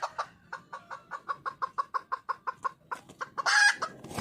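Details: A red junglefowl hen in the wild, calling out for a mate. About eighteen short, even clucks come roughly five per second, then a sudden loud, harsh, drawn-out squawk closes the phrase.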